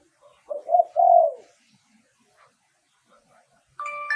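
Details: Spotted dove lure song used to decoy wild doves: a low three-part cooing phrase, two short notes then a longer drawn-out coo, followed by a brief clear whistled tone with harmonics at the end.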